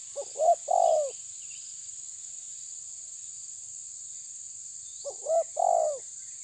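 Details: Spotted dove, tabir type, challenging a rival: two widely spaced low cooing phrases, each of short stuttering notes leading into a long falling coo, separated by about four seconds of quiet under a steady insect drone.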